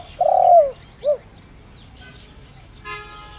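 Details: Spotted dove decoy using the 'đồng rặc' voice to lure wild doves. End of a phrase: a long swelling coo and a short clipped note, followed by a brief buzzy horn-like sound in the background.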